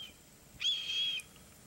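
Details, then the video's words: A red-tailed hawk at Maurice River, New Jersey, gives one high, slightly hoarse scream lasting about half a second, held at a steady pitch, against a quiet background. "Red-tailed Hawk"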